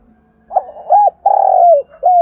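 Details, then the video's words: Spotted dove used as a decoy to stimulate other doves to sing: a partial cooing phrase of short hooked notes and one long drawn-out falling coo, then a further coo starting, low-pitched and clear. "Tiếng chim cu gáy kích bổi nhanh nổi, cu gáy mồi luyện bổi hót theo"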